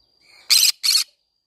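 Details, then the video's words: Green-cheeked conure singing in a flower garden, two loud, grating screeches in quick succession after a faint soft chatter. "green cheek conure singing sounds"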